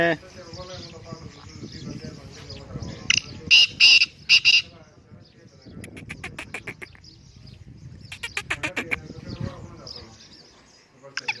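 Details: Black francolin call: a burst of three or four loud harsh grating syllables midway, amid rustling, noisy background and clicking bursts.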